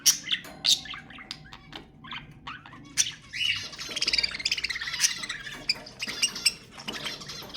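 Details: Budgerigar calls used to encourage breeding: scattered sharp chirps at first, then a thick burst of rapid warbling and squawky notes from several overlapping voices, continuing in uneven pulses.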